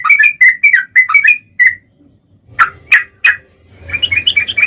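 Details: Long rapid 'ropel' song of a yellow-vented bulbul, played to lure other bulbuls into singing: quick jumbled bubbly phrases, a short gap, three sharp separate notes, then softer chattering returns.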